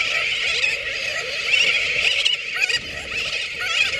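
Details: Sooty terns (Onychoprion fuscatus) in a dense colony on Johnston Atoll, 19 June 2001: many nasal, squawking calls overlapping without pause, some rising and falling, forming a continuous high-pitched din.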